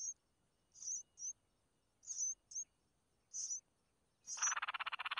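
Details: Mother red-whiskered bulbul feeding her chicks: several short, high, sharp chirps in pairs, then a sudden loud raspy, rapidly pulsed begging burst at the end.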